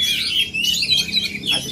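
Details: Oriental magpie-robin from Aceh in full performance, pouring out quick high whistles and twittering slurs without a break, a sharp downward note marking the final stretch.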